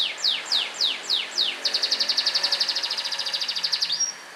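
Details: Yellow canary singing daily while kept outside to sun: a run of five descending sweeping notes, then a fast rapid trill of bright high pulses ending in a short thin whistle.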